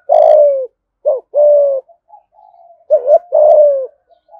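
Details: Spotted dove, Đồng Nai, Vietnam, 'thúc gù' call in the 'giọng thổ' style: a long falling coo, a short note and a sustained coo, soft murmuring, then a double rising note and another long descending coo.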